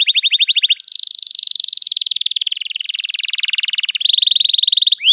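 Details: Canary song played as a teaching lure for young birds: a continuous rolling trill, beginning with bright repeated notes, then a dense buzzy warbling stretch, ending with clear fast repeated notes and a rising whistle.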